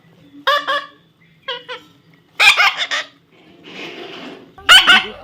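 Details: Harsh, grating calls from a baby parrot come in separate bursts about a second apart, some clipped and nasal, one a longer rough hiss, over a low background hum.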